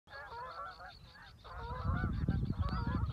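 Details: Canada geese flying over water at Reveln, Stornäset, Alnö, on 7 August 2022, leaving to migrate south, give nasal, harmonic honks in three quick bursts over about three seconds against a low rumble of wind or water that grows louder.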